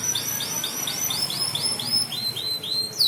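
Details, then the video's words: Canary singing as a tutor recording for training birds: a long, steady run of identical high, sweeping whistled notes, about four per second, bright and ringing, ending on a sharper higher note. "Burung Kenari Josss.. Bagus buat masteran.."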